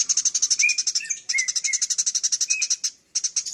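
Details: Eurasian tree sparrow giving a full, energetic chatter, kept for training other songbirds; rapid, unbroken strings of sharp high chirps, interspersed with brief upslurred whistles, pausing briefly near the end.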